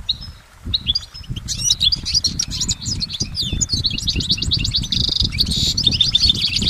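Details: Goldfinch singing in nature: scattered high twitters and sliding notes with a brief buzzy phrase, partly masked by steady low rumbling and rustling noise throughout.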